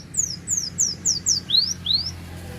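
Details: Cinereous tit, gelatik batu, at Takengon in Aceh Tengah, Aceh, singing its full repertoire of filler phrases: a run of five high descending whistles, then two lower rising whistled slurs, all sharp and evenly spaced.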